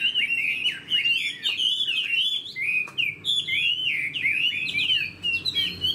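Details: Chinese hwamei kept in a cage, described as a spread-tail bird that fights well, pours out rapid looping whistles and slurred upward and downward notes with hardly a pause.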